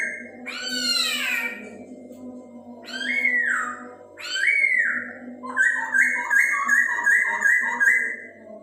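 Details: Chinese hwamei song meant to stimulate breeding in other birds: three loud rasping, harmonic-rich downward notes, then a quick series of about eight repeated whistled notes, with a constant low hum throughout.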